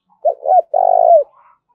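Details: Single cooing phrase from a spotted dove in the field-native thúc and gáy gọi style: two quick low hoots and a long, even, throaty coo sliding down at its close; quiet setting.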